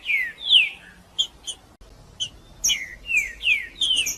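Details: Song of a caged green-winged saltator meant to warm up a cold bird: bright whistles falling in pitch, interspersed with short sharp chips, in a lively irregular sequence.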